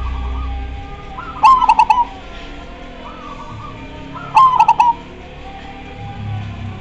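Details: Zebra dove in full, lively song, prompting other doves to answer. Two loud phrases, each a short lead note followed by rapid bubbling staccato coos. Between them come softer, lower coo phrases from answering doves.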